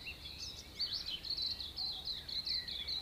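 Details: New Zealand native birds in a dawn chorus, recorded in an Auckland backyard, New Zealand; a continuous mass of high, bright chirps and trills from several birds overlapping, loud throughout.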